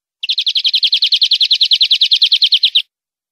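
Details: Captive-training recording of European greenfinch song: a single fast, continuous trill of around thirty rapid notes lasting over two and a half seconds, very even and bright, with no background sound.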